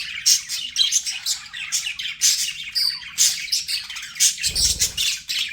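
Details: Pet budgies chirping in quick, high, scratchy bursts with short whistled notes, plus a brief low thump or knock near the end.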